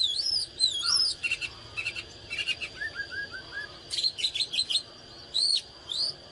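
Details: Oriental magpie-robin singing energetically (căng lửa): looping, wavering whistles, then buzzy chip clusters and a short run of soft lower notes, ending with rising whistled phrases.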